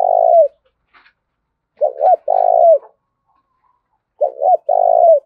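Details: Spotted dove calling with the 'thổ đồng' voice style, bringing three coo phrases, each a pair of short notes followed by a long, slightly rippling coo falling at its end, separated by pauses of over a second; clean background.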